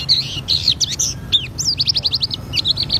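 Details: Auri-variety Oriental white-eye in vigorous ngriwik song showing its fill-ins: rapid, high, tight chirps and short trilled notes packed almost without pause over a steady low hum.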